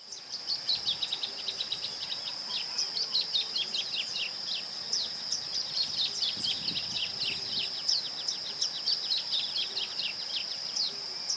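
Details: Masked yellowthroat recorded in the town of Ouro Preto, Minas Gerais, Brazil, gives rapid runs of short, high, down-slurred chips and warbles over a steady shrill insect drone.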